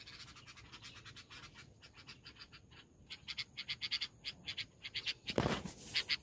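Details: A mother Red-vented Bulbul near her nest with begging chicks gives a harsh, scratchy chatter that grows louder, agitated at a person approaching and ready to peck; a sudden loud rustle comes near the close.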